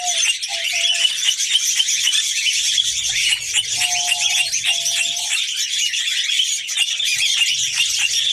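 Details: Red-crowned parakeet female, New Zealand kakariki, ready to mate: sustained high, raspy chattering with a few brief low whistles early and around the fourth and fifth seconds.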